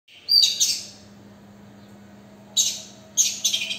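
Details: An Oriental magpie-robin on a balcony gives three short bursts of high, sweet whistles mixed with scratchy notes, spaced a couple of seconds apart, over a faint low hum.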